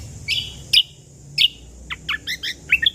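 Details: Natural ruby-throated bulbul voice used as a lure and tutoring recording: a few clear high chirps, then a quicker cluster of short, sharp, varied notes toward the end against a quiet low rumble.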